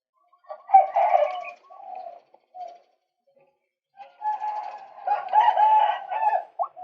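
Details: A male white-breasted waterhen gives rough, nasal croaks on a bird-luring recording. A loud burst and a few soft notes are followed by a silent gap, then a long run of harsh, rapidly repeated kwak calls.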